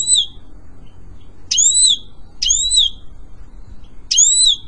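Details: European goldfinch singing for pet-bird training, here giving loud, doubled whistled notes, each a high tone over a lower one, repeated about every second with quiet gaps between.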